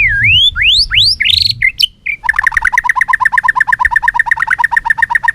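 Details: White-rumped shama in a singing contest, tail flicking: swooping whistled notes climbing in pitch, then a fast, steady chatter of paired notes repeated nearly three times a second.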